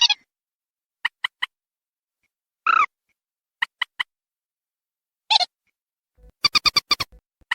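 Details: White-breasted waterhen call played as a lure: sharp clipped notes in groups of three, a few harsh nasal squawks, and a final rapid run of ringing repeated notes, with silence between bursts.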